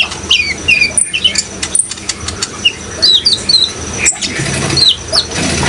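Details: High, thin chirps and short descending whistles from a sunbird singing vigorously, spaced irregularly, with running water in the background.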